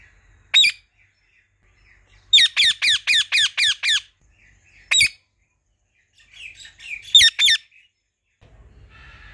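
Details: Two pet talking Indian ringneck parakeets, a couple, eating pomegranate and calling loudly: a harsh screechy squawk, then a rapid run of about eight shrill squawks, another single one, and a final cluster, with quiet gaps between.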